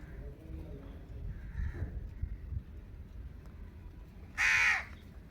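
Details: Indian ringneck parakeet, kept as a pet: after a few quiet seconds of low background rumble, one loud, harsh, raspy squawk lasting about half a second.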